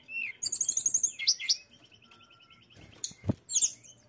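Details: Mountain tailorbird giving a rapid run of high repeated notes, then sharp chips, a softer steady train of thin notes, a brief low thump, and a final burst of high chattering notes.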